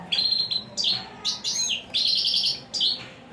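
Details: European Goldfinch, called a royal champion singer, delivering loud, bright chattering phrases of high liquid twitters and buzzy trills in quick bursts about every half second, a faint hum underneath.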